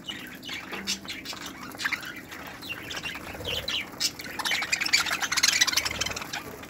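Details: Budgerigars in an aviary flight, 2018, chatter together in a busy flock: dense, scratchy warbles and sharp squawks overlapping, growing louder and more crowded toward the end.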